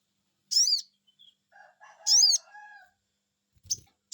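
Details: Lure call of a sogon bird, meant to get other birds to respond: two sharp high whistled notes about one and a half seconds apart, with softer lower warbling sounds in the background.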